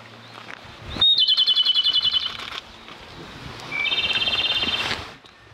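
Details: Japanese robin singing at a mountain pass: two songs, each opening with a single high whistled note followed by a fast, even, rattling trill about a second long, with a quiet pause between.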